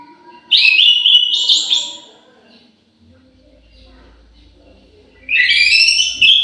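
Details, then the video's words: Orange-headed thrush kept in an aviary, singing loud clear whistled phrases with several notes stepping between pitches, one phrase at the start and another after a pause of about three seconds, with faint low hum behind. "KICAU MERDU BURUNG ANIS MERAH"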